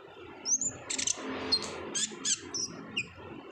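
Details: Olive-backed sunbird in 'ngobra' singing used as a lure for untrained birds: a thin high whistle, then separated sharp, high chip notes and short trills at uneven intervals, with a low hum behind.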